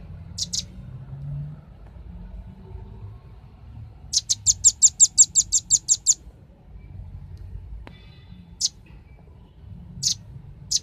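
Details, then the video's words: Velvet-fronted nuthatch heard on a bird-attracting lure track: scattered single high chips, then a brisk string of about twelve sharp, clipped notes, followed by a few more spaced chips; faint low hum underneath. "suara pikat burung rambatan ribut suara jernih"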